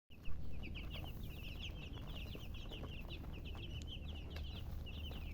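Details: Chickens chirping: rapid, high, thin chirps overlap almost continuously across the clip, with a steady low rumble of background noise underneath.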